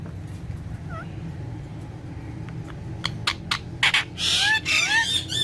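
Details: A pet green rose-ringed parakeet, talking at a mirror, gives a few sharp clicks, then a burst of harsh, rising, upslurred squawks near the end, over a steady low indoor hum.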